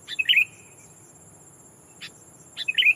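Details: Sooty-headed bulbul used as a decoy, calling a rival to lure wild bulbuls: two short, bright chirped phrases opening with quick ticks, one at the start and one near the end, a lone tick between, steady high whine behind.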